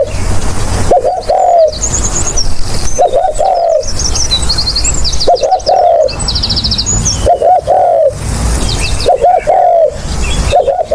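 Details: Spotted dove call used as a lure for trapping: low, mellow cooing phrases, each a few quick rising notes ending in a drawn-out coo, repeated about every two seconds over a steady low rumble, with faint chirps of other birds above.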